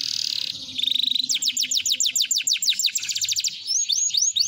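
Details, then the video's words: Canary, an F1 gacor bird, singing a rich cengkok used as a lure to get other canaries singing: a sustained high buzz, then fast rhythmic trills of rising-falling notes repeated rapidly, ending in looping whistled phrases. "Pancingan Kenari Gacor Mewah ( Kenari F1Sf Gacor Cengkok Gurih )"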